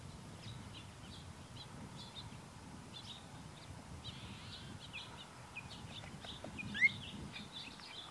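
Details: One clear, soft, upslurred whistle from a female Phainopepla, a single-note call given while moving perches as she forages for wild berries, Ventura County, California, March 2010, over faint high chips and twitters of other birds.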